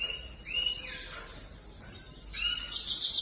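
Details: Grey-crowned goldfinch singing: pairs of rising, slurred whistled notes separated by short pauses, ending in a loud, harsh, buzzy trill.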